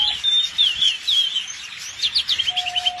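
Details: Canary song: a quick run of high, sweet chirps and slurred whistles, ending in a fast rattling series of short notes, over a steady low hum.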